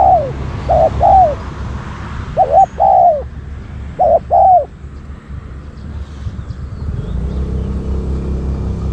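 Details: Spotted dove acting as a decoy bird to lure wild doves: clear, rounded cooing notes in pairs and triplets over the first five seconds, then quiet with a low rumble of background noise.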